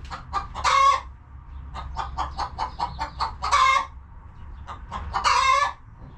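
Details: Hens clucking in their coop: three long, loud harmonic squawks spaced a couple of seconds apart, with runs of short clucks in between.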